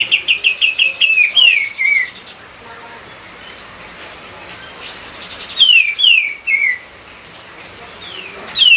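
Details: White-eye singing, used as a training song to prompt other songbirds: a fast run of short repeated chirps, then loud whistles sliding downward, repeated after a pause, with faint rain-like hiss behind.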